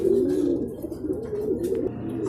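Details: Racing pigeons at their loft in Guiguinto, Bulacan, after a second truck training release, with the birds arriving in a group. Several overlapping low, rolling coos form a steady murmur, and no one bird stands out.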